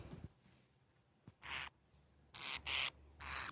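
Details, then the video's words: Sleepy baby parakeet wrapped in a blanket after a bath, giving four short, harsh, hissing rasps, each about a third of a second long, with brief quiet gaps between them. "Sleepy Baby Parakeet Making Funny Sounds"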